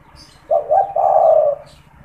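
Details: Caged spotted dove that coos at any time, used as a calling and luring bird: one tidy three-part coo, two brief hoots leading into a sustained, slightly quavering low note, over quiet background.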